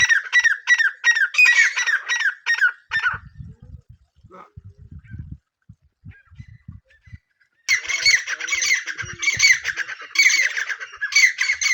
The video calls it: Teetar best sounds | Francolin call